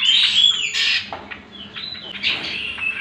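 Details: Short burst of greater green leafbird song used to bait and train other birds, with a bright rising-falling whistle, buzzy chatter and a thin high slur, fading then returning near the end.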